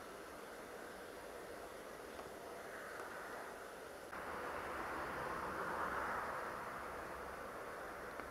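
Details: Steady broad hiss and distant traffic-like rumble that grows louder halfway through, with no animal calls.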